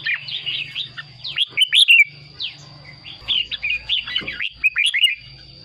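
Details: Caged red-whiskered bulbul song for rousing other birds; lively warbled whistles in quick phrases, slurred up and down, separated by short gaps, over a constant high-pitched tone and a low hum.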